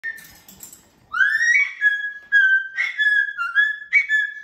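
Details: Pet cockatoo whistling a run of clear, harmonic-rich notes, some rising and some held level, in short bursts over about three seconds after a brief noisy start.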